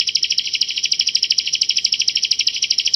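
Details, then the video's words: Bar-winged prinia of Java in rapid, dense song: an almost continuous high trill of clear notes, about ten per second, sustained without pause, matching the tightly packed "tembakan rapat" shots of a master recording. "Burung Ciblek Jawa Masteran Gacor Tembakan Rapat Jernih"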